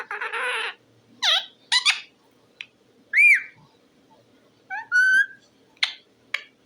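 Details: Talking parrot, possibly an Indian ringneck, utters a buzzy harmonic phrase, then squeaky sweeps, a loud arched whistle and a clear tonal note, with short clicks between, indoors.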